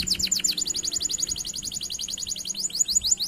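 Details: Canary lure song to trigger quiet canaries: a few loose high sweeping notes give way to a fast, even rolling trill, then slower swooping whistles at the close.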